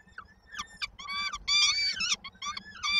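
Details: Peregrine falcon young in Koszalin, Poland, 19 May 2022, calling in anticipation of the mother bringing food: a few soft rising notes build into a loud, sustained harmonic scream, followed by shorter squeals.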